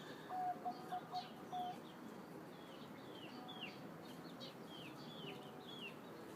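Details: Zebra dove with a medium-pitched voice, giving a short run of rapid staccato coos near the start. Faint, high, downslurred chirps from other small birds repeat through the rest over steady background hiss.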